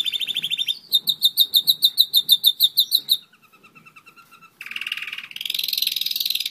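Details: One-year-old German roller-split canary singing: a fast rolling trill, then a run of bright pulsed notes at about six per second, a soft lower rattling trill, and finally a dense, buzzy, high tour to the end.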